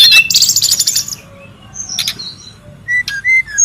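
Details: Brown-chested jungle flycatcher in the wild, lure and tutor sound: an opening buzzy, high chattering burst, a quiet stretch with scattered faint notes, then three short, clear, level whistles at the end.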